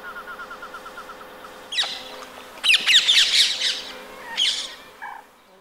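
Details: Rose-ringed parakeets calling in winter in Empuriabrava, Catalonia, 26 January 2022: a jumble of overlapping raspy screeches in the middle, over a low pulsing hum.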